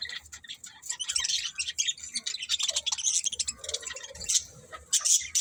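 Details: Budgerigars chattering almost without pause, a dense mix of quick high chirps, clicks and warbled notes that rise and fall in loudness.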